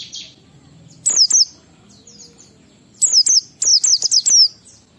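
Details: Ngalas-style song of an Oriental white-eye in 12345 rhythm, played so household white-eyes learn to sing; a brief three-note burst, then a longer run of quick, high, downslurred whistles in rapid series.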